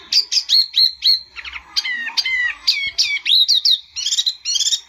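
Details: Song of a white-eye known locally as tieu mi or wambi mini: rapid high chirps and squeaky slurred notes delivered in quick bursts, with brief pauses between phrases.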